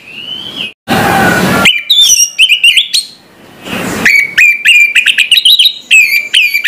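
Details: Orange-headed thrush in morning song: a drawn whistle, then rushing noise, then a fast string of chopped, ringing whistled notes, repeated after another noisy break.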